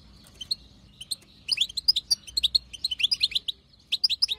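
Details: Wild-caught European goldfinch, female, chattering to get a male to sing: a few scattered chips open into a fast run of high, twittering notes, a brief pause, then another short burst.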